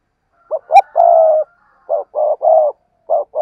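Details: Spotted dove with clear, close, low coos: two quick short notes lead into a long, throaty note, the phrase repeated once and starting again at the end.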